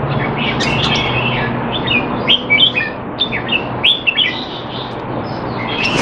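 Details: Singapore-kept Red-whiskered bulbul, caged and training while out of form, 25 December 2020; irregular bright chirps and short slurred phrases at about three per second, over a faint low drone.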